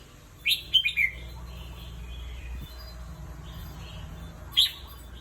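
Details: Caged red-whiskered bulbul, a competition bird, resting: a quick burst of three or four bright, warbled chirps early on, then a long pause and one short sharp note near the end, over faint low background hum.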